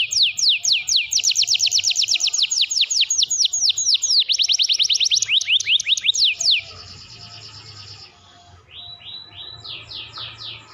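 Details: Canary in vigorous full song, recorded as a training master for other birds: fast runs of loud, rhythmic downward-sweeping notes repeated many times, then a softer, buzzier passage and short clipped rising phrases near the end.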